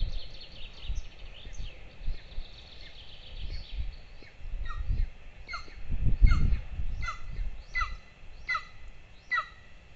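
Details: Two golden eagle chicks at a nest camera in Lahemaa, northern Estonia, near a military training field, at breakfast on 22 June 2024; thin, downslurred squealing notes repeated about every half second, over low rumbling background noise.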